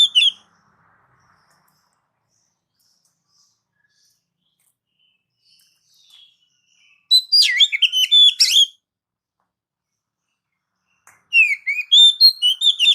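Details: Oriental magpie-robin singing to lure and train pet birds: after a long quiet stretch come two brief, rapid bursts of sharp, varied chirps and twittering notes, each lasting a second or two.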